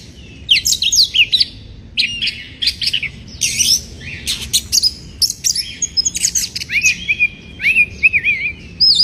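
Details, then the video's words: Lure song of an Oriental magpie-robin in breeding condition, meant to rile up rival birds: a rapid, varied stream of high whistles, clipped chirps and buzzy notes, closing with a run of wavering whistled slurs. "Pancingan Suara Kacer Bikin Emosi, Suara kacer Naik Birahi"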